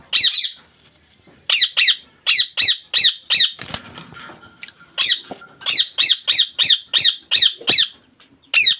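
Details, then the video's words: Kept rose-ringed parakeet giving loud, harsh, high squawks in quick paired and running series, with a short pause and a faint scraping sound in the middle. "Parrot sound"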